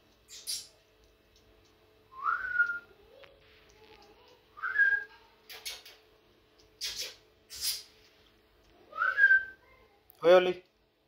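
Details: A pet grey parrot at home gives three clear, upslurred whistles a few seconds apart, mixed with breathy hisses and clicks, ending in a short harsh squawk.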